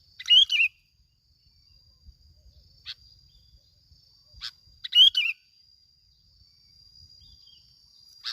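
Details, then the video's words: Sooty-headed bulbul used as a lure in Bình Thuận, Vietnam, giving two bubbly warbled phrases about four and a half seconds apart, with single sharp chirps between them over a constant high tone. "bông lau Bình Thuận. tiếng chim bông lau kít bổi"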